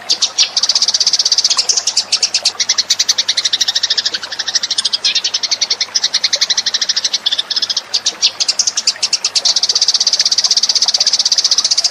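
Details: Eurasian tree sparrows chattering in a lure recording: long, continuous bursts of rapid, high, squeaky chirps, several a second, shifting slightly in pitch and loudness with small pauses.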